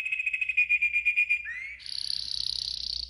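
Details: Yellow golden canary singing a training song, a fast pulsing trill that slides upward through a short whistled sweep into a higher, denser buzzing roll held to the end.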